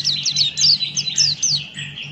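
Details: Brief, dense stretch of Buxton's white-eye 'ngalas' song: rapid overlapping high, slurred chirps and a continuous twittering band, with a low hum throughout.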